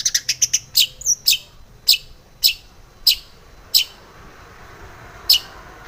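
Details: Morning lure call of a female long-tailed shrike, meant to excite caged birds. A fast run of high clipped chirps opens, then single sharp notes follow about every half second to second, spacing out toward the end.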